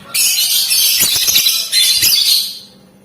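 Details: Lovebird sound used to provoke other lovebirds into calling, described as rapid ticking and long cackling; a dense harsh chattering burst lasting over two seconds with a brief break in the middle.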